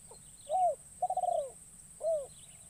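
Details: Caged young spotted dove used as a decoy, taken into the forest for the first time to lure wild doves, giving a short note, a rounded coo, a long tremulous coo and a falling coo. A steady high whine runs throughout.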